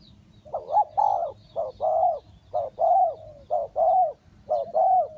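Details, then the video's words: Spotted dove used as a decoy in a bird trap, giving low hollow coos in short two-part phrases, repeated about every second, steady and close. "The Sound Of the dove"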